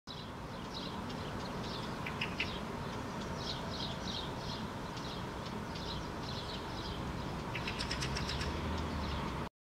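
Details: Fieldfare (Turdus pilaris) standing on the ground, attentive, then taking off, giving harsh, dry chattering calls in quick runs of clicks ending in a louder burst, over low wind or distant traffic rumble; Helsinki, Finland, June 2013.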